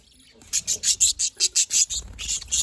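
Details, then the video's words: Happy budgerigars recorded 18 October 2023: after a near-silent opening, a fast series of about ten high, scratchy chirps follows at an even pace, several per second. "happy budgies parakeet budgies"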